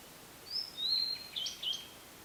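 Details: Blue-and-white flycatcher singing at the prefectural forest in Yaita, Tochigi Prefecture, Japan, recorded on a camera with an external microphone: clear high whistled notes, a sliding phrase followed by short bright twittering notes, over quiet background hiss.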